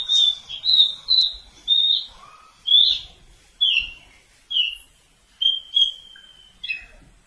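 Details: Javan bush lark from Kulon Progo singing a series of short clear whistled notes with slight buzzy edges, repeated roughly once a second, each note bright and high, with a few fainter lower notes between.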